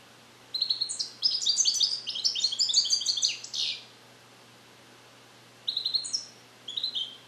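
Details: Captive-bred European goldfinch learning Neapolitan passages, recorded alone in a carrier; a long, dense run of tinkling, rattling high notes, then after a gap two short twittered phrases.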